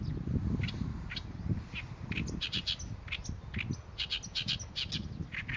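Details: Oriental reed warbler in song: repeated harsh, croaking syllables in quick phrases, growing denser in the second half, with a low background rumble.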